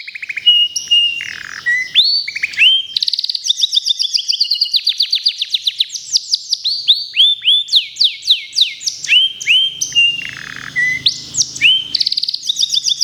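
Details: Contest-bound local canary sings a long, varied, high song of rapid trills, chattering runs and swooping notes, switching between phrases every second or two, with a faint low hum near the end.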